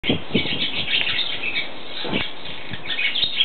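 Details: Barn swallow singing in a barn in Eptingen, Switzerland: a steady, high twittering warble of chattering notes, with a few soft low thumps like wingbeats or knocks underneath.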